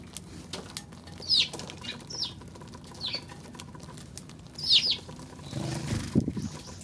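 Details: Eurasian tree sparrow recorded on 16 March: a few bright, sharp chirps at uneven intervals, some doubled, against low background rumble with a brief lower rustling sound near the end.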